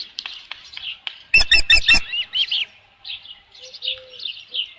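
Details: Osprey at a nest with a headless fish on a ranch, 27 June 2018, around 12:48 PM: a brief burst of four loud sharp chirps, followed by softer slurred whistles and faint twittering.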